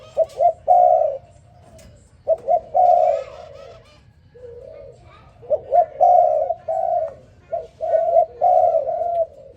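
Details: Spotted dove in the morning repeating its call several times over about ten seconds. Each phrase has quick upslurred coos and a sustained, low cooing note, with faint other sounds in the background.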